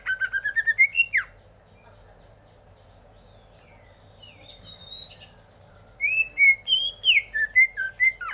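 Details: Greater green leafbird song: a fast series of rising, slurred notes at the start, a quiet gap with a few faint high twitters, then a lively stretch of varied whistles and sweeping chirps.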